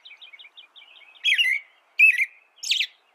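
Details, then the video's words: American robin song opening with a run of soft, quick chirping notes, then three loud warbled phrases with high, hissing squeaks. "American Robin Bird Sound, Bird Song"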